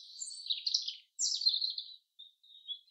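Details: Two quick descending phrases from a chaffinch in the forest, each a tumbling slur of high notes, followed by soft, thin chirps.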